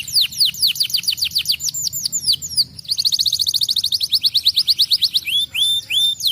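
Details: Pet canary song: fast descending chirp trills, a quicker rattling run of repeated notes, then a few longer rising whistles near the end.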